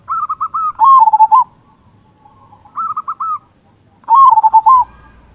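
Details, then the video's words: Local Indonesian zebra dove singing to excite other zebra doves, with a big 'kung' voice: bursts of quick, even coos, each followed by a louder, lower, rolling phrase, repeated about three seconds apart. "Perkutut Lokal Gacor Suara Kung Besar Pancingan Burung Perkutut Agar Bunyi"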